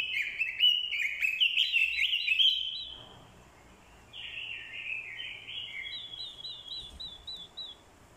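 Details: Orange-headed thrush song, likely a caged decoy bird singing to provoke rivals with a female calling alongside: loud, rich warbled phrases packed with fast twittering for three seconds, then softer, quicker trills and chirps.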